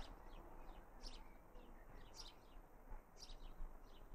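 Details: A young house sparrow calls in a garden in Raunds on 19 June 2018, giving short, bright chirps about once a second, with fainter chirps between, over a steady low outdoor rumble.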